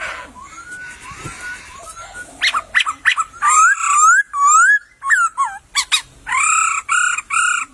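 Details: In a bamboo thicket a wild laughingthrush starts with soft rising whistles, then breaks into loud, wavering, looping phrases and bursts of ringing notes.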